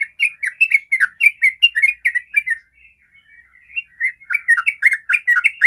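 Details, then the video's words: Lure song of a sooty-headed bulbul in 'ropel' style to stir other bulbuls to sing: quick chattering notes, a short quieter gap of soft notes, then another fast burst. "Trucukan manapun langsung rajin ropel pagi siang malam dengan pancingan suara Trucukan ropel ini"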